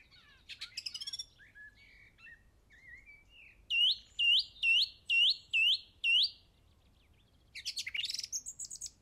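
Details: Bird singing at a local golf course in England on Easter Saturday 2007: varied short phrases, then six loud upslurred notes repeated about every half second, ending in a rapid rattling flourish.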